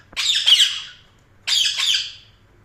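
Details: Budgerigar giving two rasping, scratchy chirps about a second apart, each slightly wavering in pitch, with a quiet background.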